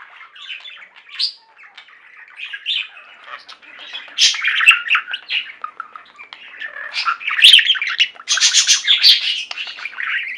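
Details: Indoor budgerigar flock chattering and warbling continuously, soft scratchy murmurs building to louder, denser squeaky chirps and harsh bursts in the second half.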